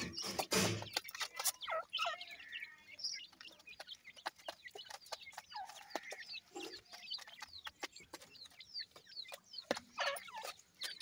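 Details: Grey francolin chicks giving many thin, high peeping calls that sweep downward, closely repeated and overlapping from several birds, with sharp clicks and knocks mixed in throughout.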